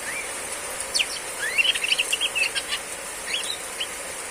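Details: Female Oriental magpie-robin in heavy rain giving riwik-style loud chattering song: a rising whistle, then a fast burst of sharp chirps and buzzy notes, fading to sparse chips under constant rain hiss.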